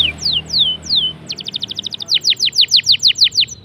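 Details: Canary in vigorous song: a few slow, high, downslurred whistles, then a fast, dense trill of rapid repeated notes, followed by a series of even, descending sweeps repeated about four times a second.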